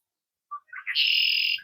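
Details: A male Red-winged Blackbird perched up high at Back Bay National Wildlife Refuge, Virginia Beach, Virginia, in early morning gives its conk-la-ree: a brief low note, a few gurgled syllables, then a long, bright buzzy trill.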